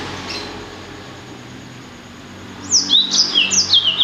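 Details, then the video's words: Blacksang hybrid of blackthroat and sanger, near silence with faint hiss for over two seconds, then a brisk burst of high, sharply sliding whistled notes repeated several times at the end. "Kicau Merdu Blacksang Gacor"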